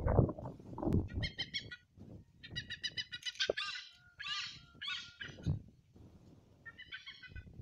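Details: Hornbills in Vadavali village, Rajapur, Ratnagiri, Konkan, India, give harsh, nasal cackling calls in short rapid bursts, repeated several times, with low rumbling wind or handling noise underneath.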